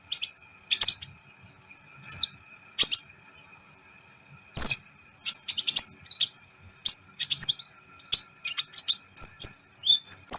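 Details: Sunbird (kolibri ninja) recorded to rouse other birds: high piercing chips that begin well spaced and then quicken into a lively run of thin twitters and short whistled slurs.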